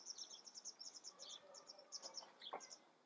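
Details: Black redstart from the Eifel gives a rapid, even series of high chipping notes, delivered in short bursts throughout, with a brief squeezed buzzy note in the middle and faint background hiss.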